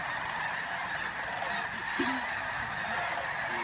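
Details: Masses of geese lifting off at sunrise at Bosque del Apache, San Antonio, New Mexico, November 2013, sandhill cranes nearby; steady wall of massed honking with one low call near the two-second mark.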